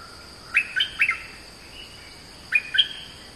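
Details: Oriental magpie-robin song with two clusters of sharp whistled notes, a few quick upslurred chirps each, separated by about one and a half seconds of near-silence and a faint constant hiss.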